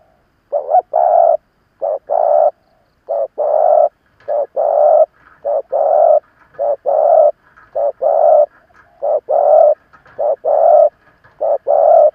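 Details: Seasoned decoy spotted dove provoking wild rivals with a rapid, insistent series of about a dozen paired coos, a short note then a longer one, repeated close to once per second and fairly regular.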